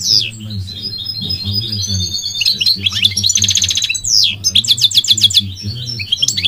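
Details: Goldfinch singing a fast, liquid twittering song of high trills, buzzy rattles and sliding whistles, with a steady low hum underneath.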